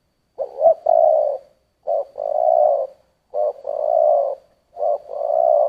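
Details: Steady spotted dove cooing in the thổ voice: four repeated two-part coos about every 1.5 seconds, each a short hollow note followed by a long, level, throaty hum.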